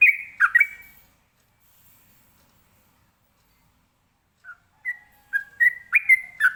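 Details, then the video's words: Ropelan song of a trucukan, or sooty-headed bulbul, used to make other birds answer: a brief burst of three loud whistles, several seconds of silence, then a build-up of short bright whistled phrases growing louder. "ini suara Trucukan ropelan bikin nyaut burung lainya"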